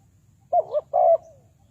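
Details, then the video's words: One phrase from a spotted dove kept as a trapping decoy in Ninh Thuận, Vietnam: a brief wavering double coo, then a longer mellow coo that trails downward, in a quiet setting. "Tekukur Pikat,นกเขาใหญ่สายต่อดิน, Sound Of dove"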